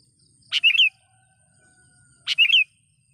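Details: Sooty-headed bulbul call aimed at rivals, used for luring wild birds: a clipped note and quick liquid whistled flourish, given twice about two seconds apart, with a steady high insect tone behind.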